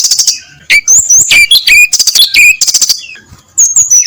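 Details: Brown-chested jungle flycatcher singing loudly before dawn, a fast, varied song of high, sharp whistles and buzzy trills, with slurred notes dropping and rising, in dense bursts separated by brief pauses.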